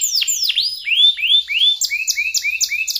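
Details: Canary song played to prompt canaries reluctant to sing; fast bright trills of sweeping notes, first downward swoops then rising upslurred whistles repeated about four times a second, ending in quick chirping phrases.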